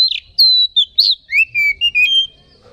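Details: An Oriental magpie-robin's lure song for exciting other magpie-robins: a chain of loud, pure whistles, long and level at first, then shorter lower slurred notes, stopping after about two seconds.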